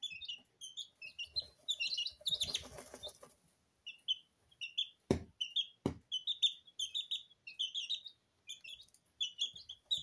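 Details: Several two-week-old Sablepoot bantam chicks, Porcelain and Lemon, peep constantly in a kitchen as they bathe in their feed; shrill short cheeps pile over one another, with a rustle of scratching and two sharp knocks.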